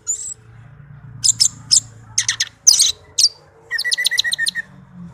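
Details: Orange-headed thrush kept as a tame pet gives scattered sharp high chirps, then a rapid string of repeated notes over a steady low hum in the background.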